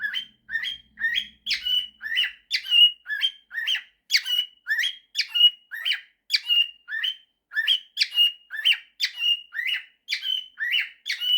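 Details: A male pet cockatiel whistles a mashup of 'September' and 'If you're happy and you know it' in a steady run of bright, rising-and-falling notes, about one per second.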